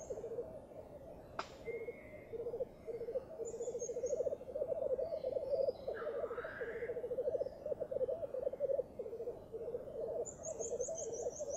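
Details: Black grouse cocks lekking at dawn on a bog early in the season: a steady, low, rolling bubbling that continues without a break, with a few faint higher bird calls and chirps above it.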